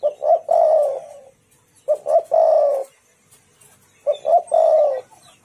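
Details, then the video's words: Spotted dove lure call meant to make rival doves answer: three matching phrases about every two seconds, each two quick soft notes followed by a longer, gently descending coo. "Tekukur super gacor bikin Lawan bunyi nyaut jos jos"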